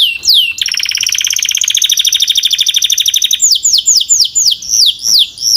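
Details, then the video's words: Canary singing: a few quick downslurred notes, then a long, fast, even trill of rapid pulses for nearly three seconds, switching to a slower series of sharp, high, downward-sweeping whistles repeated roughly twice a second. "Canary Singing"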